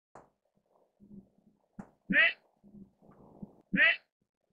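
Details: Albino mandarin duck calling: two loud, short, bright nasal notes about 1.6 seconds apart, preceded and separated by soft clicks and low murmuring.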